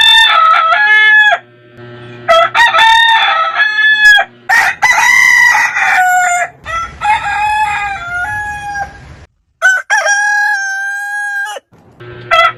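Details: Roosters from a heritage breed compilation crowing in quick succession, overlapping harmonic crows with long held final notes, roughly every few seconds, with faint background noise.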